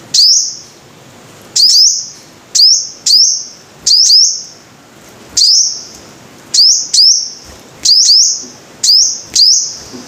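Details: Five-coloured sunbird giving piercing high chips that rise into a sustained bright whistle, in irregular singles and pairs with gaps of up to two seconds, against a soft steady hiss.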